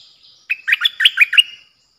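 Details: Bulbul kept as a decoy bird, recorded 8 May 2021: one quick phrase of about seven bright, chattering whistled notes that jump between low and high pitch, lasting just over a second, with a faint steady high hiss behind.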